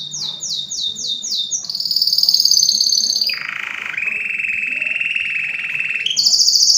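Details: Canary in full song. Rapid repeated descending notes give way to a long, steady buzzing roll, then a lower sustained rolling tone, and a bright high trill to finish.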